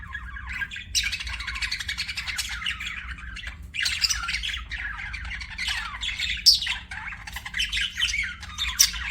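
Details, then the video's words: Budgerigar chirping: soft, continuous, scratchy warbling chatter of high, buzzy twitters with sharper squeaks now and then, over a steady low hum. "BUDGIE CHIRPING SOUNDS"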